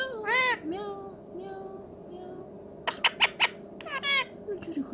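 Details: Ringneck talking parrot, a pet, gives an arched harmonic squawk and thin drawn-out tones, followed by a burst of four clipped harsh notes and a final squawk, with low steady hum.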